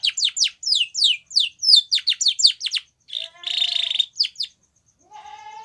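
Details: White Spanish Timbrado canary song meant for training young canaries: a dozen crisp falling high notes in quick succession, then a buzzy trill, a few more sweeps and a soft lower warble.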